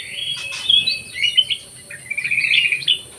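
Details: Black-crested bulbul in an aviary, singing busily: short warbled and whistled phrases mixed with quick chattery notes, overlapping bird calls in the background and a steady high hiss.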